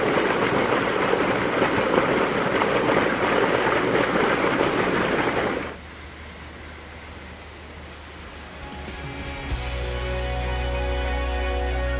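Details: Loud broadband rushing noise for about six seconds, then a quieter background with a steady low hum and faint tonal lines.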